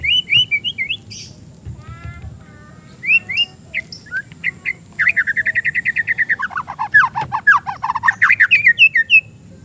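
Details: Oriental magpie-robin (murai), a young bird kept caged, used as a training or lure recording: varied whistled phrases, a long rapid trilled run, then sharp rising and falling notes with high chirps.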